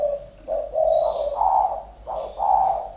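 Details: Two captive decoy spotted doves fighting, giving a sequence of soft, low, hollow cooing notes in drawn-out phrases with brief gaps, over a steady background hum and faint rustling.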